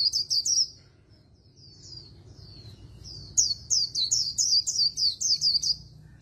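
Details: Fast 'líu đấu' fighting song of an Oriental white-eye in magpie-robin-like voice, used in voice training: a quick burst of high chirps, a quieter gap with sparse soft notes, then a rapid run of about ten sharp, descending high whistles.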